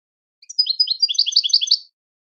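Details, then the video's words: Switty song of a European goldfinch used to tutor young singers: an opening chirp, then a rapid, regular twitter of high, liquid notes for about one and a half seconds in clean silence. "Switty goldfinch singing training your goldfinch to sing on command"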